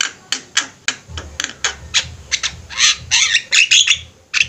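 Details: Flock of Javan mynas chattering busily, a recording meant for training other birds: harsh, broadband rasping squawks in rapid uneven bursts, growing denser and louder toward the end, over a faint low hum.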